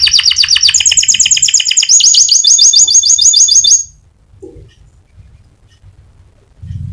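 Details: Lure song of a lively white canary in sharp 'nembak' style: about four seconds of dense, high rolling trills that change tempo midway, then sudden near-silence with faint low rumbling.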